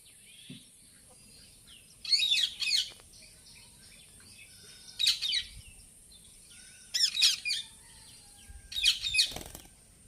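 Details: Indian ringneck parakeet making noise: four separate bursts of shrill, high-pitched screeching calls spaced about two seconds apart, with quiet pauses and a faint steady background hiss.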